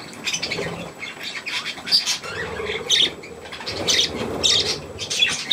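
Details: Young budgerigars feeding around millet on 3 May 2024 give short sharp chirps roughly every second, with faint rustling underneath.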